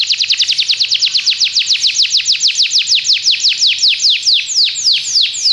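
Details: Belgian canary singing as a model for other canaries, a long fast run of clear descending whistled notes that slows near the end into broader swooping sweeps.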